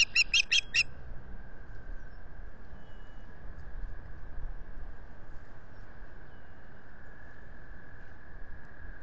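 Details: Calling Osprey at Salt Point nest, Finger Lakes, April 2022, from a solar-powered camera: a brisk run of about five high, whistled chirps opening the recording, followed by steady wind and a faint hum.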